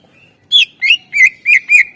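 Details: Greater green leafbird's loud, full 'isian' song meant to coax silent birds into singing: a soft thin whistle, then five strong, burry notes delivered rapidly within about a second and a half.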